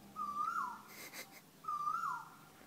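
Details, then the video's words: Persistent unidentified bird in Thailand giving two whistled calls, each a level note rising into a quick downward swoop, about 1.5 seconds apart, with a brief broadband rustle between them. "The most annoying bird in Thailand"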